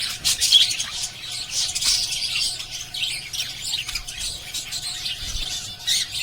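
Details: A chorus of pet lovebirds gives rapid, shrill chirps and raspy squeaks, with overlapping calls forming a nonstop twittering and strong bursts at the start and end.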